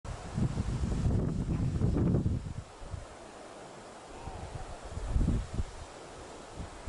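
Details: Wind buffets the microphone with low rumbling gusts, rustling, and brief muffled voices; no clear animal call stands out.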